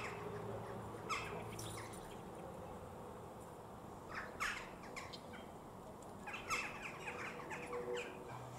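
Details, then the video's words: Western jackdaws in a village, calling from the top of a church and nearby, give short, sharp, metallic 'tchak' calls in small bursts a few seconds apart over a steady low rumble. "CHOUCAS des TOURS, cris"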